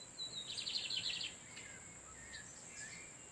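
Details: [6, 'Lined seedeater males exchange song in the background while a female incubates in nature. One fast phrase of bright, repeated, buzzy high notes is followed by faint thin whistles, over a steady high hiss.']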